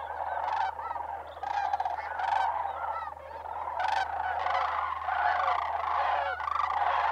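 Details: A large flock of migrating sandhill cranes at Bosque del Apache Wildlife Refuge, New Mexico, in December, around sunrise or sunset, gives overlapping rolling, trumpeting rattles in a continuous clamor over a faint steady low hum.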